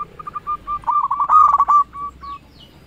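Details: Local zebra dove lure call used for trapping and to rouse rivals: a string of short clipped coos that builds into a dense, rolling trill, then eases back into separate soft notes over a quiet background.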